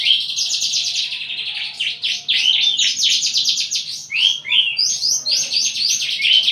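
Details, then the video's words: Aggressive, mate-seeking Javan bush lark delivers a continuous rush of buzzy rattles and sweeping slurred whistles, densely packed with barely any gaps. "branjangan lagi over birahi minta kawin"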